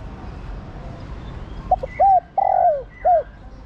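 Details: A female spotted dove calling to a male gives one low cooing phrase: two quick soft notes, a rounded hoot, a long slurred falling coo, then a short closing hoot, over quiet background hiss.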